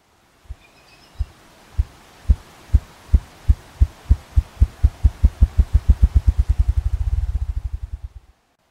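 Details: A male Ruffed Grouse drumming on a log, stump or rock in northern forest, a spring or fall display made by rotating its wings against air: deep muffled thumps start about one per half second, then accelerate into an engine-like whirring roll lasting around eight seconds.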